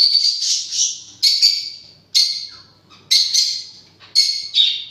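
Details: Parrot giving strident, grating squawks about once a second, each burst starting sharply and trailing off.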